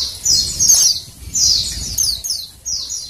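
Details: Female Oriental white-eye giving high, thin, downslurred chirps in short clusters, about one burst every half second, a call meant to prompt males into song.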